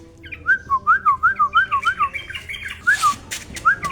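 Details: Tame yellow-vented bulbul kept in an aviary, singing actively: a quick run of about ten clear whistled notes, each rising then dropping, followed by a short pause and two or three more similar notes, with faint room noise.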